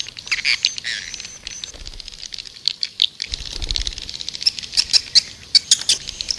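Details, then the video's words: Swiftlet call used to attract birds, heard as high, thin chirps and twitters that come in irregular bursts, with a low rumbling noise underneath in the second half. "Suara burung walet panggil 7"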